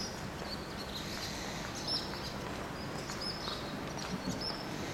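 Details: Barn swallows from a colony of about twenty nesting pairs with hatched chicks, mobbing a crow that has come to scout the nests: sharp, very high, short chirps repeated irregularly against a soft outdoor hiss.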